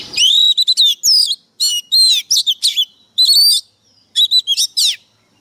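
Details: White-rumped shama pouring out a varied string of loud whistled and warbled phrases. Quick slurred notes are grouped in bursts with brief gaps over about five seconds, with a quiet background.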